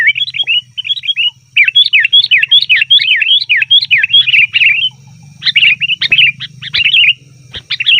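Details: Sooty-headed bulbul giving a loud, noisy call for luring wild birds: a rapid string of looping, downslurred chirps at an even, fast pace, then looser broken phrases with a few sharp clicks.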